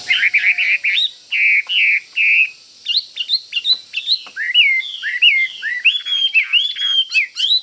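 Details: Chinese hwamei, a caged fighting bird that pecks its cage when close to a rival, opens with buzzy slurred phrases, then breaks into rapid, varied whistles that swoop up and down.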